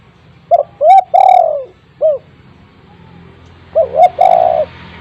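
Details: Spotted dove with a loud, constantly calling voice, kept as a lure for other spotted doves. It gives a deep cooing phrase: two short rising coos, then a long falling note and a brief final coo. The phrase repeats after a pause over faint low hum.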